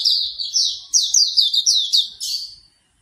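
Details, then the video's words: Hume's white-eye (auriventer) song used as a morning training recording to get a bird singing: a rapid, high twittering run of about seven slurred, downward-sweeping chirps in under three seconds, bright and continuous, then stopping. No other sounds. "MP3 terapi pagi auriventer agar cepat Buka paruh"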